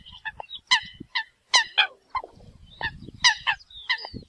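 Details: Flock-gathering calls of Eurasian coot: clipped, ringing honks in uneven clusters, with soft low rumbling noise between notes.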